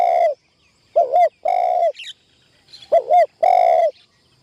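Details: Spotted dove working as a trapping decoy in a tent trap for the first time. It gives mellow coos, each a short double note and a sustained note, while brief high chirps from another bird sound in the gaps.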